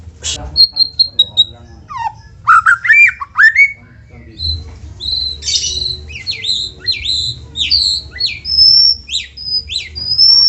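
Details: White-rumped shama singing to prompt other shamas: a high repeated whistle, then loud varied sweeps, rapid trills and clear sharp notes that grow higher toward the end, over faint low hum.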